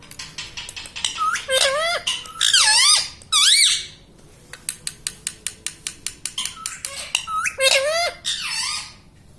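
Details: Parrot talking, said to say "mummy papa": several loud arched speech-like syllables, then a steady series of sharp clicks or taps about three per second, then two more bent calls.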